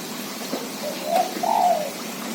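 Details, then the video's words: Zebra dove giving soft, low cooing notes: a faint short coo, then a louder, fuller drawn-out coo that rises slightly and falls away, with a faint click and light background hiss. "suara perkutut"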